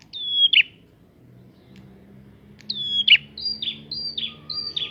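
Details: Prinia song used to provoke other prinias: a whistled phrase with a buzzy end, a pause, then a faster run of high level whistles each ending in a short buzz, repeated several times.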